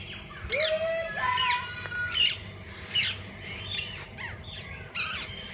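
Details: Parakeets of several kinds in a walk-in aviary at a parrot zoo; a clear rising whistle leads into repeated raspy squawks about once a second, with chirping flockmates filling the background.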